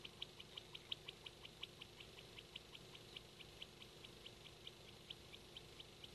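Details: A hand-tame male king quail, which sleeps when stroked and reacts strongly when called by a female, keeps up soft, high, ticking peeps in an uneven series, several per second, then more spaced, over faint hiss.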